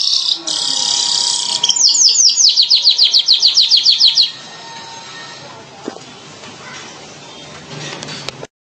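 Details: A streaked weaver gives a hissing buzz, then a quick burst of high, repeated chirping notes for about two seconds, followed by background noise.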